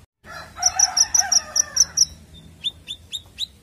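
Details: Konin bird lure for young birds: a rapid string of seven bright, high chirps over a busier, lower chattering layer, followed by four separate downward-slurred chips.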